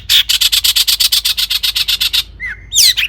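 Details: Long-tailed shrike song played to stimulate shrikes to sing: a rapid, rattling run of harsh, scratchy notes, about seven per second, ending with a falling whistle and a squeaky flourish.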